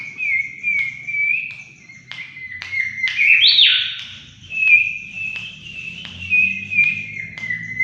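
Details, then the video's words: Mangrove whistler lure song: wavering whistled phrases held at one pitch, a loud sweeping upward burst in the middle, then more level whistles, with light regular clicks in the background. "pancingan burung kancilan bakau Gacor"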